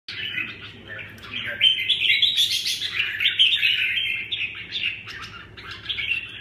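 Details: Red-whiskered bulbul giving a dense run of scratchy, chattering warbled notes with brief bright whistles, continuous over about six seconds, with a faint low hum beneath.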